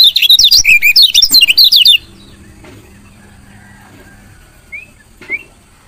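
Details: Female lemon-bellied white-eye chirps meant to stimulate lazy males to sing; two seconds of rapid, high, wavering chirps, then quiet hum and two faint short notes.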